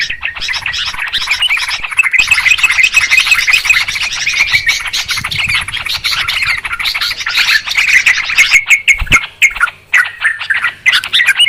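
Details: Continuous busy chatter of Yellow-vented Bulbul, kept as a trapping lure, with rapid scratchy notes overlapping throughout and a few brief dips toward the end.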